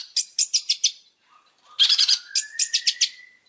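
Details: Long-tailed shrike training song: rapid stuttering bursts of harsh, buzzy notes, a short pause, then more chattering joined by a long, thin rising whistle.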